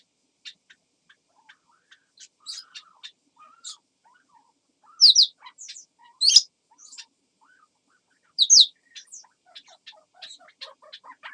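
A grey parrot copying a crow: scattered clicks and chirps with three loud, harsh, high bursts at irregular intervals and a few lower, softer notes.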